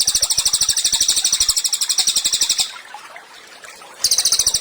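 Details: Cililin singing actively, used as tutor song for training songbirds: a rapid, even, high chattering trill of sharp repeated notes, about ten per second, running for over two seconds, a short pause, then the trill resumes.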